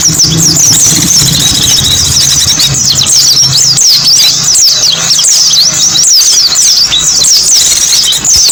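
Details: Lure sound of white-eyes for drawing in small birds: continuous high, twittering song from several birds, quick downward chirps packed tightly, over a faint low drone.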